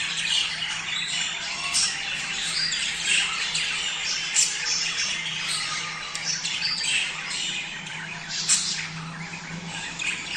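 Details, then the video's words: Breeding-stimulation sound of a budgerigar flock: ten seconds of constant overlapping warbling, chirrups and harsh squawks, with occasional louder sharp notes and a steady low hum beneath. "صوت تحفيز البادجي على التزاوج"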